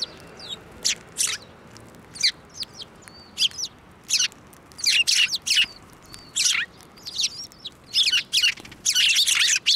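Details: Several sparrows at Tenmangu shrine on 15 March 2024, flying onto a hand to be fed; sharp high chirps, some in quick doubled bursts, scattered irregularly, with a dense run of overlapping calls near the end.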